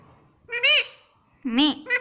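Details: Talking rose-ringed parakeet, an Indian pet bird that says "mummy", utters three squawky, voice-like syllables, one alone and then a lower-pitched pair, each nasal and rich with overtones; quiet room with faint background hum.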